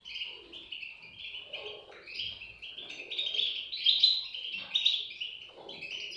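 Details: European goldfinch chicks giving a continuous high, squeaky chatter of overlapping chirps, rising and falling in loudness over about six seconds, with faint lower murmurs beneath.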